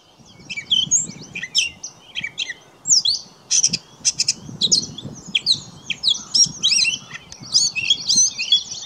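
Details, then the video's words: Gray catbird singing at St George Marsh, Charlotte County, New Brunswick, on 20 May 2016: a long, varied medley of squeaky, twisting and sliding high phrases with scratchy notes between, over a soft rustling background. "Gray Catbird Song - 2016"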